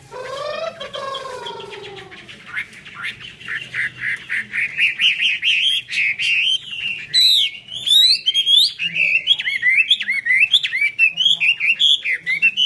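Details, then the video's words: Chinese hwamei in 'hót xòe' display with eagle-spread wings; opens with lower, drawn-out descending notes, then builds into a lively, fluty warble of rapid looping whistles. "chim họa mi hót xòe, chơi cánh đại bàng"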